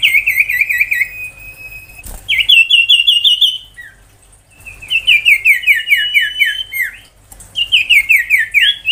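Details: Tembakan-style song of an ashy tailorbird, played to train magpie-robins and spur young tailorbirds: bright high trills of fast repeated upslurred whistles, three loud bursts separated by brief quiet gaps.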